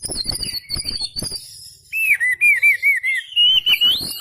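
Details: Kacer, the oriental magpie-robin, in full song with spread tail: high sliding whistles over clicking notes, then a loud wavering whistled run that rises at the end.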